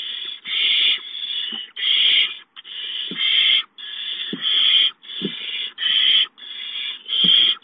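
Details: Owlets of the barn owl hiss as an adult delivers a mouse. The harsh noisy bursts are each just under a second long and come about every second in a steady series.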